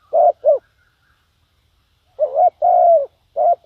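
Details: Spotted dove kept as a decoy, cooing to lure wild doves: two short coos, a pause, then a burst of three more, the middle note drawn out and slightly falling, in a quiet setting.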